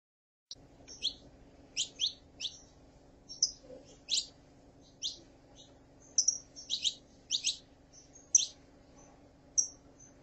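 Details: Female saffron finch calling, played to get a male in singing form: short sharp chirps with downward sweeps, spaced irregularly about half a second to a second apart over a steady low hum.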